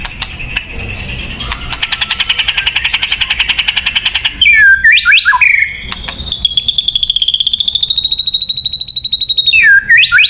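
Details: Song of a white-rumped shama, played to lure birds: a fast buzzy rattling trill, then looping whistled swoops, then a long steady high note pulsed rapidly before dropping away.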